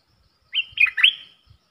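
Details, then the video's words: Caged bulbul singing against wild birds in a song duel, recorded 3 October 2021: a brief phrase of three liquid, slurred whistled notes, the last the strongest, against a quiet background. "เสียงนกกรงดอกแตงEp.82 ดวลเพลงกับนกป่า!!Birds sounds"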